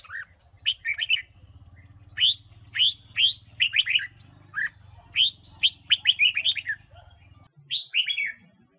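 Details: Female red-whiskered bulbul, Huế type, singing to rouse wild-caught males: repeated short phrases of loud, rising whistles with quick chattering notes, spaced by brief pauses over a low mechanical hum.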